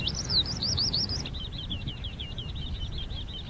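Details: Eurasian Skylark singing enthusiastically by the seaside in July after several days of 30-degree heat: a continuous high, wavy warbling stream of rapid rolling notes, briefly louder at first, over a low rumbling background.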